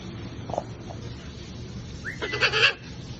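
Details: A playing macaw gives a short rising whistle, then one loud, harsh, grating squawk lasting about half a second, with faint household noise in the background.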